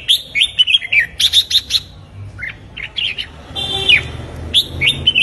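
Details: Red-whiskered bulbul practicing its morning song delivers a run of quick, evenly spaced slurred whistles, then softer notes, then a buzzy rising note and further bright chirps.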